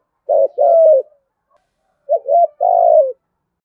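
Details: Spotted dove cooing in the 'thổ gù thúc' style used to draw wild doves: two low phrases, each a short rising coo, a hooked note and a drawn-out falling coo, with silence between.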